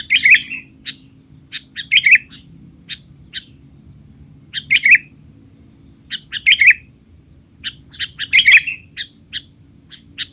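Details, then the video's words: Sooty-headed bulbul calling noisily as a tutor recording for young untrained birds: bright bubbly phrases about every two seconds, each trailed by a few isolated sharp chips, with a faint steady high tone throughout. "burung kutilang teler!! suara ribut paling cocok untuk kutilang bahan"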